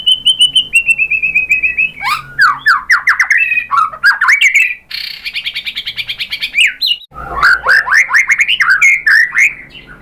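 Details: White-rumped shama in full, varied song to provoke other birds: a high pulsed trill leads into loud rising and falling sweeps, a harsh buzzy stretch, then more rapid swooping whistled phrases.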